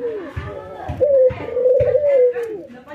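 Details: White albino and local ringneck doves nodding and laughing in training; a trembling rolling coo swells into a long steady tone and fades downward, with people talking over it.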